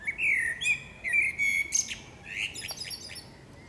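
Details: In a forest, a singing female common blackbird gives a few rich flute-like notes near the same pitch, followed by a squeaky high flourish and softer fading twitters.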